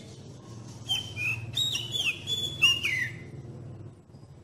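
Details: Lure song of a magpie-robin, used to train young birds to sing: loud, pure whistled phrases with steady held notes and downward slides, about three phrases in a row. A soft low hum runs underneath.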